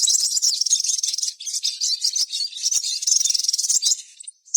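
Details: Sogon in continuous excited song, used as a lure to get other sogon singing: a dense, unbroken stream of high, rattling chirps and twittering notes with barely a pause for about four seconds.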